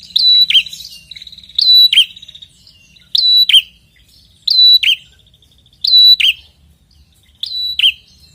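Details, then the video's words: Prinia, called red-headed, singing persistently for use as a lure: six phrases of a held high whistle falling into a buzzy note, repeated about every one and a half seconds, quiet chatter between. "pikatan ampuh burung prenjak macet& bahan langsung nyautt dengan prenjak gacor ngotot ini"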